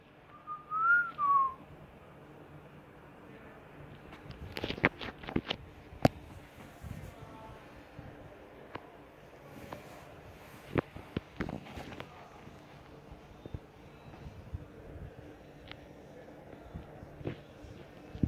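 A cockatiel gives one clear whistle that rises and falls, followed by scattered clicks and taps indoors.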